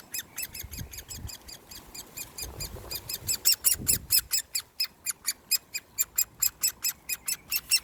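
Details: Great Spotted Woodpecker chick (Dendrocopos major) being hand-fed on 1st June 2020, giving rapid high clicking, ticking begging notes that grow louder and steadier, about two per second, over faint background rustle.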